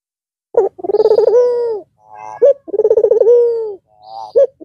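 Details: White red-eyed Barbary dove cooing again after a long rest over the Eid al-Fitr holiday: two long rolling coo phrases, each opened by a sharp short note, low and mellow, the pattern repeating about every two seconds.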